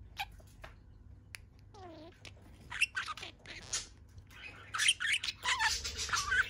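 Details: Pet budgerigar in a good mood, standing on one leg, chattering: scattered clicks, a falling harmonic whistle, then a run of dense, buzzy warbled notes that grows louder toward the end.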